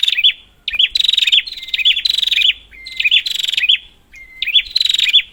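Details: High, rapid chattering of a prinia used to provoke silent birds: stuttering pulsed bursts with swooping end notes, short pauses filled by a thin steady whistle, about five bursts in all.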